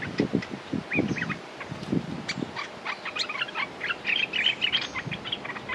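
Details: Red-whiskered bulbul used as a decoy, calling to lure a territorial wild bird: quick bright chirps and short whistled notes in clustered bursts, with low thumping knocks underneath during the first half.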